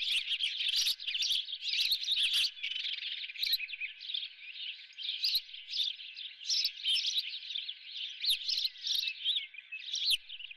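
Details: Osprey at the Dunrovin nest with a live golden fish for breakfast; loud, fast, high chirping calls go on continuously, mixed with frequent sharp clicks and rustling knocks.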